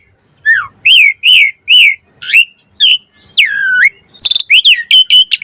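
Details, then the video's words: Asian pied starling song for luring and training captive starlings: loud whistled notes, some dropping, others looping up and down, followed by a long descending whistle and a quick run of sharp chirps near the end. "Suara Jalak Suren Mompa Variasi AMPUH Buat Masteran & Pancingan Burung Jalak Agar Full Gacor Isian"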